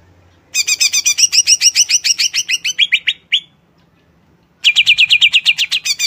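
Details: Greater green leafbird singing: fast series of bright chirped notes near four a second, shifting from high double notes to lower slurred ones, a pause of about a second, then another rapid chirping run.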